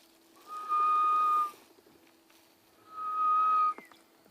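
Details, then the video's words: On a wet morning around sunrise on 12 March at Djuma private game reserve, a distant grey-headed bush-shrike gives two long, level, mournful whistles about two seconds apart, over a low steady hum. "Way in the background. Way in the background you can hear a grey-headed bush shrike."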